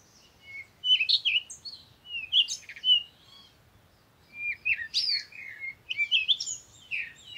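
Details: Parakeet chattering in lively clusters of squeaky, twisting chirps, two busy runs split by a short pause, over a soft low rumble.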